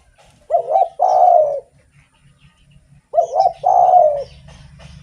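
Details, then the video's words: Spotted dove in active song, used to draw or stimulate other doves: two phrases of a quick double coo followed by a drawn-out rolling coo, about two and a half seconds apart, over a soft low rumble. "SUARA BURUNG DERKUKU GACOR ENAK DIDENGAR || BAGUS BUAT PANCINGAN"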